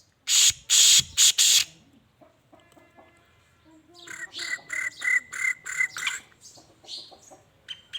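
Black Francolin: four loud, harsh, grating bursts in quick succession, then a quieter run of nasal, clucking notes about twice a second.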